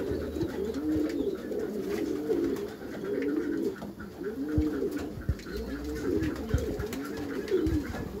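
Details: Low bowed coos from Meulemans racing pigeons kept in a backyard loft, several birds cooing in overlapping series, accompanied by scattered taps and rustles.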